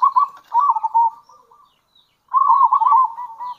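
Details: Two loud, rolling coo phrases from a local zebra dove, split by a second of silence. These are its kerot and bekur calls, used to draw in other zebra doves.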